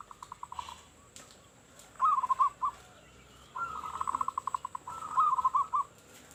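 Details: Local zebra dove singing as a lure for other doves: quick strings of short hooting notes followed by rolling, trilled coos, repeated in three phrases over a soft hiss.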